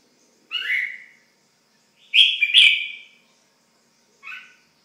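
A red-whiskered bulbul gives three bright, slurred chirps over about four seconds; the middle one is a longer, doubled phrase. The background is otherwise quiet.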